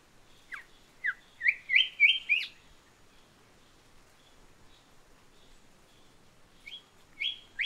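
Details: Island whistler in wooded habitat on small islands: a jumbled burst of high whistled notes rising and slurring, then a pause and a second short whistled phrase, over faint steady background hiss.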